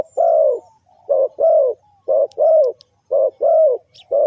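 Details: Spotted dove cooing as a decoy for trapping, clear hollow notes grouped as a quick short coo followed by a drawn-out arched one, repeated rhythmically in a quiet setting with a few faint ticks.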